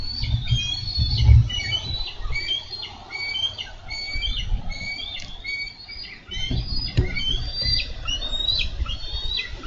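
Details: Bald eagles in Minnesota struggle over a carp at the nest on 4 July 2013. Long runs of high, piping whistled chirps repeat steadily over low thumps and rustling.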